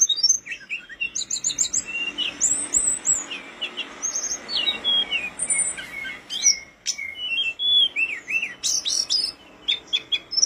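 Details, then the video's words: Energetic blood-breasted flowerpecker (tledekan gunung) singing, a tutor recording for caged birds; continuous stream of sharp high chips, tiny rising and falling whistles and fast rattled notes packed closely over faint steady background hiss. "Masteran mewah burung tledekan gunung gacor dor isian dan materi jos"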